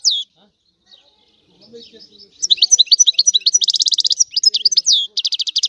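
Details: After a quiet opening with a single high chirp, a goldfinch breaks into quick twittering song with fast buzzing trills repeated in close succession.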